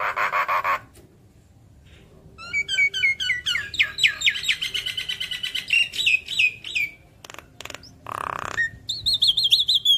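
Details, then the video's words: Singing Javan myna meant to trigger replies from other mynas: high whistled chirps and twittering phrases in a dense varied run, broken by a harsh burst, then a wavering whistle. "Pancingan Jalak Kebo Malas Bunyi Langsung Nyaut Saat Dengar Ocehan Suara Khas Jalak Kebo Manggut2"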